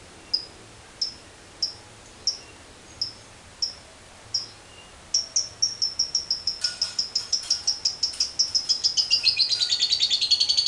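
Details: Lovebird in the 'ngekek panjang' style. Isolated high chips at first, then the notes quicken and blur into a long, fast, buzzing trill that wavers slightly in pitch toward the end.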